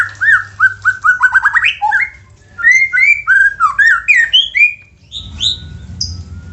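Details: Lure song of the white-rumped shama to make other shamas sing: rapid run of rich whistles rising into slurred fluty phrases, ending with a few high notes and a low background rumble.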